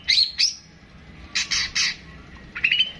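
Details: Long-tailed shrike (pentet) giving a short 'tembakan panjang' passage: two high whistled notes, then three harsh rasping bursts, then a thin trilled whistle.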